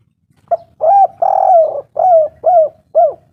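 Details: Spotted dove, a local bird, cooing to stir up rivals: a short opening note, then five rounded, soft coos with one long sustained middle coo, delivered in a steady run against a quiet, low background hum.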